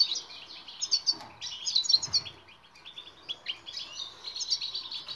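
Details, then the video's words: Training song for silent goldfinches: a European goldfinch pours out continuous batbata twittering, fast jingling notes and trills that swell in loud bursts, then run on as steadier chatter. "بتبتة المقنين الصامت لحل جميع المشاكل السكوت.. jilguero"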